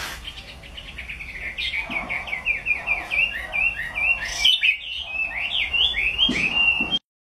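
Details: Loud Chinese hwamei song, a fast chain of bright whistled notes, each sliding up or down, repeated rapidly in varied phrases for about seven seconds before an abrupt stop.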